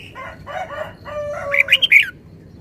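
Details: Red-whiskered bulbul giving one quick, loud phrase of four sharp, bubbly whistled notes, preceded by a rooster's hoarse, drawn-out crow in the background.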